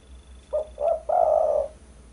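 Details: Spotted dove, used as a lure recording for bird trapping, giving one cooing phrase: two short low coos followed by a longer, steady, slightly wavering coo.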